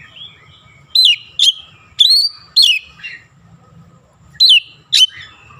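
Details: Oriental magpie-robin repeating loud, emphatic whistles that sweep down in pitch, delivered in twos with silent gaps of about a second. The song carries Javan myna (jalak kebo) imitations. Soft rumble and a thin steady whine behind it.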